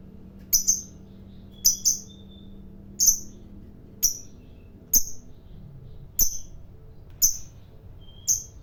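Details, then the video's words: Fighter-type lovebird, noted for long chatter that angers other lovebirds: a series of paired thin, very high chirps repeated roughly once a second, with faint short whistles between them and a soft background hum. "Suara Burung Lovebird Fighter Ngekek Panjang"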